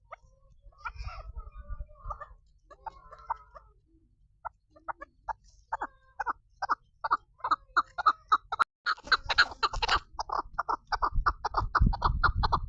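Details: Female chukar partridge calling: a run of short, sharp clucking notes, quiet and sparse at first, then building into a fast, regular series of about four notes per second that grows louder and harsher toward the end.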